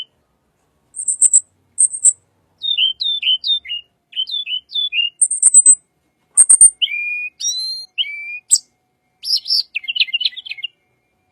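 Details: Song of a little pied flycatcher, used to attract white-rumped shama: thin high paired notes, series of quick down-slurred whistles, then varied twittering and buzzy phrases over eleven seconds.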